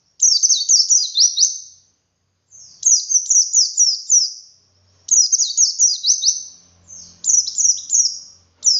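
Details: Wild pleci song used to trigger captive birds: repeated phrases of high, quick, twittering notes sliding downward, about four bursts with short pauses, faint low hum underneath.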